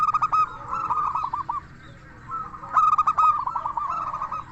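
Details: Zebra dove 'crystal voice' lure song: a fast stuttering coo phrase ending in hooked notes, a quiet pause of about a second, then another ringing rapid phrase that trails off.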